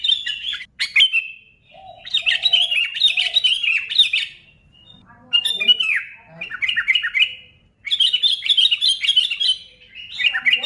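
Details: Sooty-headed bulbul in energetic song meant to spur other bulbuls to sing: repeated bursts of bubbling, chattering and squawky notes in quick succession, separated by brief silences, plus a few lower fluty notes.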